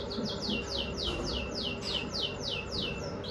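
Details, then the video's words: A red factor canary sings a rapid, regular series of bright downslurred whistles, about three or four per second, over a low background hum. "Red Factor Canary Finch Singing"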